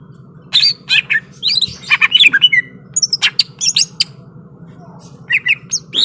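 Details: Greater green leafbird ready to fight, singing a dense, varied medley of sharp ticks, buzzy chirps and quick whistles in bursts, with short pauses and a steady low hum throughout.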